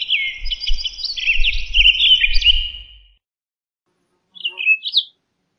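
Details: Townsend's solitaire singing a three-second tumbling warble of fluty, sliding notes, then silence, followed by a short pair of rising whistled notes.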